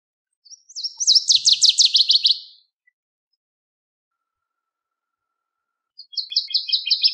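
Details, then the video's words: A Northern waterthrush delivers an emphatic song of quick, loud, sharply falling notes for about two seconds; after a long pause a second song begins with crisp, evenly spaced chips and is cut short. "Birds Singing - Northern Waterthrush"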